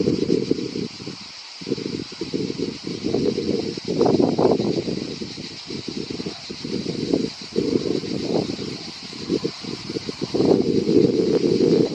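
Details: Only a steady low rumble of wind or engine noise with some rustling is heard, and no animal call stands out.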